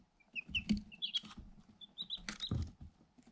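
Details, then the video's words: Day-old Light Sussex chicks, eight in a cardboard box, filmed through a hole on a GoPro Hero 7 Black. Scattered high, thin peeps mix with dull thumps and scrabbling as the chicks peck at the box. "Day-Old Chicks - One Hour Ambient Sound"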